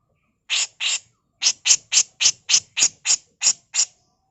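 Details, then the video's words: Harsh tutor song of a female grey-cheeked bulbul: a steady series of eleven short rasping notes, each under a quarter second, repeated roughly three or four times per second after an opening pair. "Masteran Burung CUCAK JENGGOT FULL MBESET KASAR || Cucak jenggot betina"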